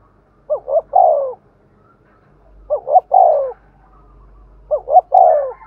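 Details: Spotted dove giving Thúc Gù cooing as a decoy for wild doves. Three evenly spaced phrases of two short notes and a longer hollow falling coo, over a low rumble.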